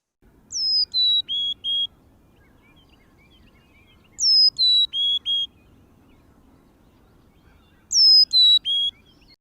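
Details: Carolina chickadee at the bird-viewing feeders of a native plant garden gives three clear, high whistled phrases of four notes each, stepping down in pitch, about every three and a half seconds over quiet background.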